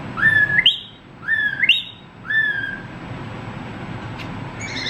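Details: A young male pet cockatiel indoors gives three clear whistled phrases about a second apart, each stepping upward in pitch, then falls quiet with faint room noise.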